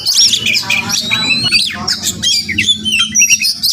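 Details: Morning song of a wild Oriental magpie-robin that visits a home daily; rapid mix of sweet whistles, upslurred notes and rasping squawks, with a low steady hum beneath.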